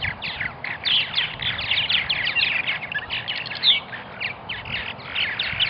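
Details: Purple martins calling at a nesting colony in Melbourne, Florida: continuous overlapping twitters and throaty gurgles from several birds, with one clear, sharp, higher chirp standing out partway through.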